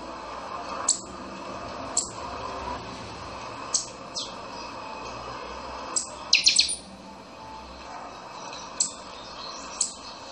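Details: Chanchão-style song of a buffy-fronted seedeater, or pixoxó. Short, sharp, high notes spaced about every one to two seconds, with one fast cluster of three or four ringing notes midway. Faint constant hiss throughout.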